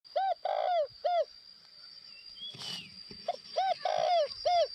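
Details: Decoy spotted dove from northwestern Vietnam cooing: two mellow phrases, each a short note, a long drawn coo and a final short coo. A faint thin whistle from another bird sits in the gap, over a steady high electrical whine.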